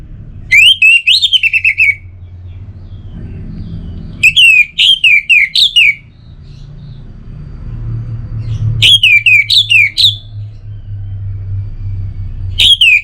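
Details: Orange-headed thrush singing in captivity. Strident whistled phrases, each a rapid string of about six sharp, down-slurred notes, repeat roughly every four seconds with quiet pauses between. A low traffic-like hum runs underneath.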